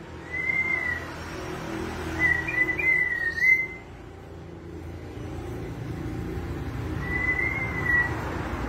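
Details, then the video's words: White-rumped shama singing actively, its song filled with cililin imitations: a few clear whistled notes, each slurring slightly down or up, spaced a few seconds apart over a steady low rumbling background. "murai batu gacor isian cililin"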